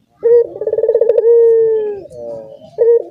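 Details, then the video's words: Barbary dove in a cage shared with other calling doves: a rapid bubbling roll flows into a long, smooth, gently falling coo, and a fresh phrase starts at the end. "dorongan puter yang lain ikutan bunyi sekandang"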